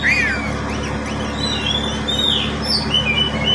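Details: Pet oriental magpie-robin (kacer), kept as a cage bird, used as a lure to coax lazy birds into song: short chirps and thin whistled notes, some sweeping, against a constant low droning background.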